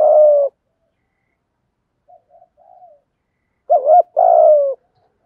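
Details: Spotted dove 'thúc gù' coos in the 'thổ' style, played to help newly caught captive doves start cooing. A long level-to-falling coo, faint low murmurs, then a short curled double note leading into a long, gently dropping coo.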